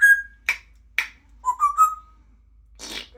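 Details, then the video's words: Pet female grey parrot making silly noises indoors: a short clear whistle, sharp clicks, then a run of three rising whistled notes, followed by a breathy rasp. "Silly Bird Making Silly Noises"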